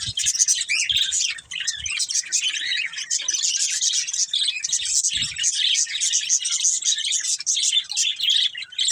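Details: Budgerigars in a family flock keep up an unbroken stream of high, scratchy chirps and warbles, many birds overlapping into a constant chatter.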